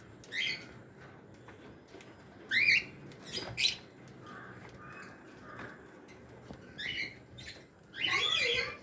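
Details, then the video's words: African lovebirds, a colony in an aviary including lutino, Fischer's and blue-masked birds, give harsh, short squawks in separate bursts every second or two, with quieter chatter and steady background hiss between them. "africa lovebird colony"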